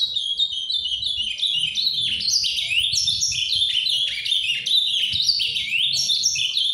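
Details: A captive ultramarine grosbeak sings softly in a Paraná-style song, a continuous, rich warbling of quick slurred whistles rising and falling between high notes, with faint low background noise.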